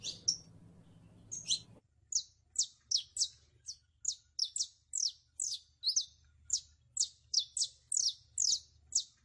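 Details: Saffron finch delivering a long, steady series of high, downslurred chirps, often paired, repeated about three or four times per second after a short start, with little background noise.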